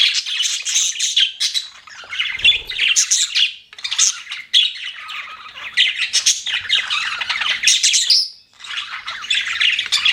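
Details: Chattering pet budgies fill the air with rapid, warbling chirps and harsh squawks, overlapping busily, with a brief lull before a rising whistled note near the end and chatter resuming.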